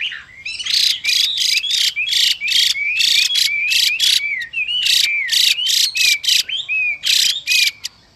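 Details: A kept female Chinese hwamei makes rapid, harsh, hissing rasps to excite the male into song. Short whistled upslurs and wavering phrases weave between the buzzy bursts almost without pause.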